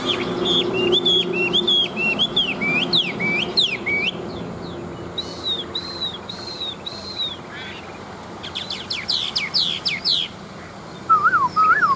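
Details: Wild-caught adult Chinese hwamei kept for fighting, noted for its forest song. Quick repeated whistled notes give way to a run of arched whistles, then dense rapid phrases, with a low droning background.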